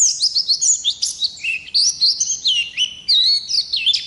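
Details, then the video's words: Long, unbroken song of a wild Oriental white-eye: bright, high-pitched warbled notes slurring downward and upward in a lively, almost nonstop chatter, no other sounds. "Pleci Ngalas Gacor Ngerol Durasi Panjang"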